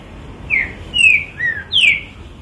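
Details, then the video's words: A pet green-winged saltator whistles four bright notes, each dropping in pitch. The final note starts highest and is the strongest, over a faint low background hum. "Trinca ferro zero um mostrando oque sabe fazer!"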